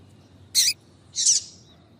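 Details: A female double-collared seedeater gives two short, high, buzzy notes about half a second apart, the second longer and softer, over a faint low hum; a female call used to stir males into singing.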